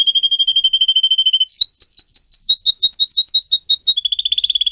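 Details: Singer canary recorded for song training: a rapid trill, a string of repeated bouncing two-note phrases at about three per second, then a fast buzzy roll.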